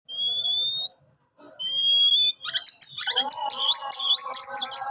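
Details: Captive-bred Oriental magpie-robin singing: two long pure whistles on a steady pitch, then a fast, varied run of sharp chirps and trills.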